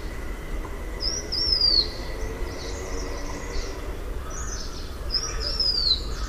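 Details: Blue-winged minla producing a pair of thin, falling whistles roughly four seconds apart, with faint chirping birds and a low hum underneath.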